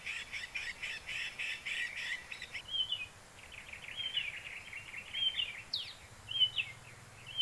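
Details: Sumatran hill prinia sound, played to lure birds into a net for trapping. Dense buzzy chattering bursts at first, then sharp, clear whistled notes spaced about a second apart over a quiet outdoor background.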